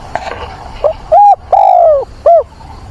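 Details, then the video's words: Decoy dove cooing for a mate in wind and rain, 24 September, used to train and excite wild doves. Soft murmured notes lead into a loud phrase of a short coo, a long falling coo and a short closing coo. "Chim cu mồi gáy gọi tìm bạn, kích bổi, luyện bổi"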